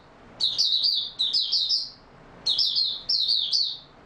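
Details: Song of an Oriental white-eye in steady form, recorded 28 February 2022: four high, bright twittering bursts, each of a few quick sliding notes, in two pairs with a short silence between them.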